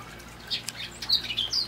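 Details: Hooded oriole in palm trees singing in the evening: a brief flurry of high, thin chatter and scratchy whistled notes, rising and falling quickly, with faint background hum.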